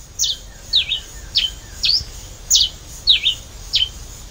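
Pileated Finch singing: a steady run of short, high, sharp chirps, some slurred or doubled, roughly every half second. Faint low background hum.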